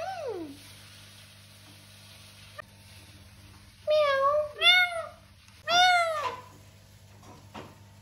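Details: Indoor talking parrot: a falling meow-like note, a pause, then a quick cluster of three wavering meow-like calls, with faint clicks and a persistent low hum.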